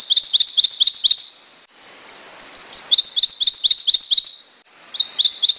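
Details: Prothonotary warbler song in three phrases of quick, repeated, loud upslurred notes, with faint softer notes between the phrases.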